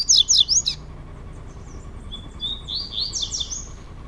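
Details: Caged male double-collared seedeaters dueling indoors, Brazil: a short burst of fast sweeping whistles opens, followed after a pause by a higher buzzy, rattling phrase.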